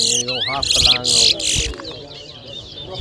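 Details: Chestnut-bellied seed finch, known locally as towa towa, in a 2023 whistling contest in New Amsterdam, Berbice, Guyana: harsh, rapid high trilled bursts around mid-clip, overlaid by men's voices and crowd chatter.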